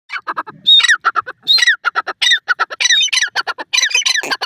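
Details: Francolin calling loudly in a fast, harsh, chattering series of short squawky notes, some rising and others falling, packed closely together with occasional longer strained notes throughout.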